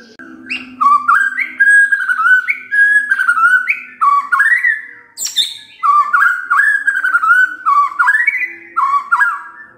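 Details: White-rumped shama singing as a provoking lure: loud, clear whistled phrases in a repeated rising-then-falling pattern, each phrase about a second long, over a faint low hum.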